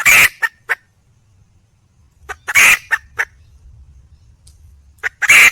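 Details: Wild hen red junglefowl seeking a male, uttering three loud harsh squawks, each trailed or preceded by a few clipped clucks, with a soft low rumble in the background between calls.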